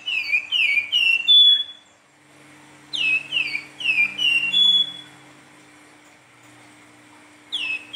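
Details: Silver-eared mesia singing in a vigorous, flute-like manner, with three bursts of clear descending whistles, four to six notes each, separated by gaps of about a second or two, over a soft low hum.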